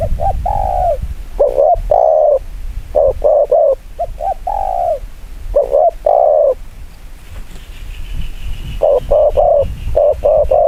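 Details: Spotted dove performing a fast 'kích bổi' cooing style. Soft, rounded low coos come in quick clusters of two to four, over loud rumbling background noise and a faint high whine.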